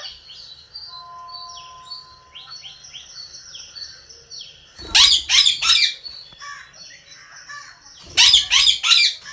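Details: Rose-ringed parakeet kept at home, heard over soft background twittering and chirps, then breaking into two loud, harsh, rasping screech bursts, each lasting about a second, the first near the middle and the second near the end.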